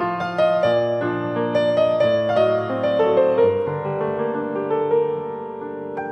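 Gentle solo piano melody with sustained chords throughout, no animal voices.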